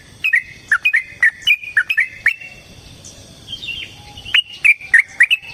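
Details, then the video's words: Provocative fighting song of a yellow-vented bulbul. Bubbly two-part notes rise and fall in quick succession for over two seconds, then pause. A fresh run of chattering phrases closes the stretch, with sharp clicks between notes. "Suara Burung TRUCUKAN gacor TARUNG ROPEL PANJANG pancingan trucukan agar JADI trucuk gacor EMOSI"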